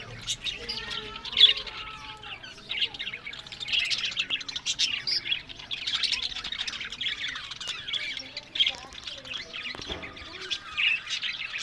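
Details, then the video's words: Several caged budgerigars in Larkana, Sindh, keep up a steady twittering warble, with high chirps, rasping notes and occasional louder squeaks layered over a constant murmur of chatter. "Buddies Parrot Voice"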